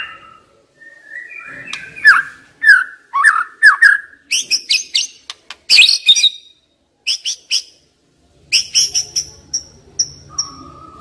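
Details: White-rumped shama singing as a lure for stressed young wild birds: rich slurred whistles give way to harsh buzzy bursts, then repeated high thin notes and a low whistle near the end.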